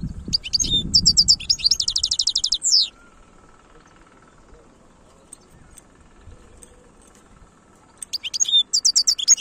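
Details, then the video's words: European goldfinch, the khalwi (wild) song style, from a bird-keeping setting in Algeria, 2022. A rapid twittering phrase of sharp, high buzzy notes, then a long near-silent pause, then the bright chatter resumes. A dull low thump comes early on. "تغريد الحسون خلوي chont chardonneret"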